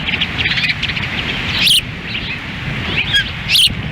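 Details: Osprey pair at a nest in Lolo, Montana, on a windy June 10, 2017, during a difficult feeding. High, squeaky whistled chirps come in scattered bursts, with strong wind noise throughout.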